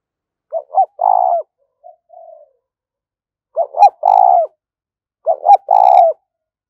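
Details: Three repeated phrases from a spotted dove urging and calling to lure other doves. Each phrase is two quick coos and a long, rolling coo. A soft, faint coo follows the first phrase.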